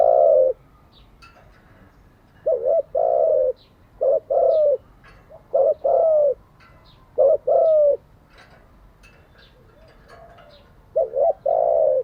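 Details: Spotted dove coo phrases used daily to train decoy and newly caught birds: repeated low hooting coos, each a short double note followed by a longer drawn-out coo, given about every one to two seconds.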